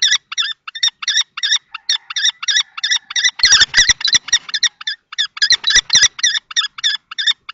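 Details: Two common kestrel males battle for a nest box, Théding, France, 20 March 2024. Fast, squealing notes pour out nearly four per second, with a burst of scuffling and thumps midway through the series.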